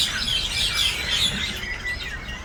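Common mynas chatter in a dense, continuous jumble of harsh squawks, whistles and chirps, several birds calling over one another without pause.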